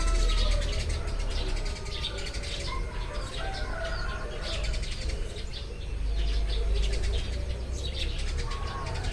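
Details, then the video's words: Several Eurasian tree sparrows in the morning give short, sharp chirps scattered irregularly and overlapping, some notes repeated in quick bursts, over a steady low rumble and faint drawn-out tones from other birds. "burung-burung gereja berkicau saat pagi tiba"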